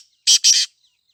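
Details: In jungle, a black francolin (kala tetar) gives two loud, hoarse, scratchy notes in quick succession, the second longer and slightly broken, with silence around them.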